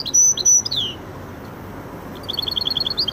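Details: Two loud, piercing level whistles from a goldfinch × canary hybrid, then a quiet gap and a rapid string of repeated high notes, Widani style.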